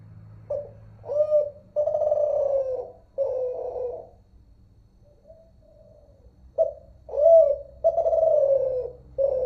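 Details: Unedited recording of a zebra dove, Kelantan song type known as terkukur or derkuku: a series of short soft notes then long descending coos, a pause near the middle, and another run of clipped notes and drawn-out coos, with low background hum.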